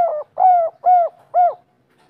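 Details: A local, wild-voiced spotted dove of the three-note "kuk 3" type coos in soft, low, rounded notes, about two per second, each note swelling and fading, with nothing else heard.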